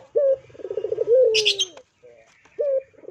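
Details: Spotted dove, a vigorous calling bird used as a lure recording: a short level coo, a quick rolling tremolo of pulses, then a long drawn note sliding down. A brief high twittering from another bird breaks in midway.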